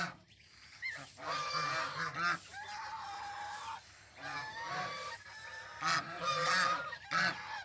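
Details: Goose chicks described as naughty give loud, rasping honks in overlapping bursts, with some longer wavering notes between them.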